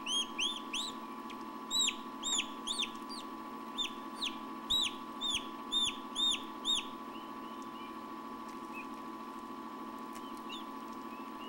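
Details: Baby turkeys hatching in an incubator in 2006: a busy run of sharp, arched peeps repeated roughly twice a second, fading out after about seven seconds, with a constant low mechanical hum behind.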